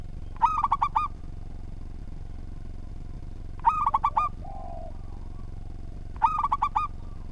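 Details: Local zebra dove in steady, well-structured song for training other birds. Three phrases of fast, ringing, stuttered coos spaced under three seconds apart, one followed by a soft low coo, over constant low hum.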